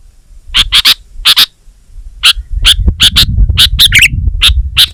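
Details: Gacor-style kutilang, the sooty-headed bulbul: bright paired chirps in short bursts, with a gap after the opening notes and a soft low rumble beneath the later phrases.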